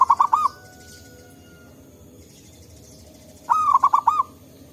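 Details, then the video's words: Zebra dove of local stock, answering others in forest, for luring: two phrases of quick, bubbling coos, one at the start and one near the end, with a faint, drawn-out purr in between. "Suara Burung Perkutut Lokal Gacor Ampuh Untuk Pikat Dan Pancingan"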